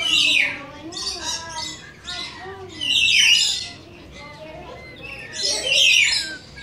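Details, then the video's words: Rainbow lorikeets, shown with coconut lorikeets, give bursts of shrill, harsh screeches at irregular intervals, with lower tonal voices in between. "Coconut And Rainbow Lorikeets Want To Visit"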